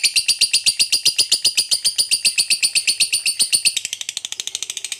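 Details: Fighter lovebird's long ngekek trill, used to provoke other lovebirds: a fast, very regular series of sharp high chattering notes, about four per second, steady for nearly four seconds, then shifting to a quicker, softer, rougher stutter, indoors.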